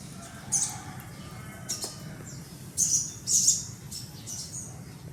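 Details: Baby sun conure making scattered high shrill chirps, a couple of quick ones early and a louder close pair later, with faint clicks and rustling amid a low hum.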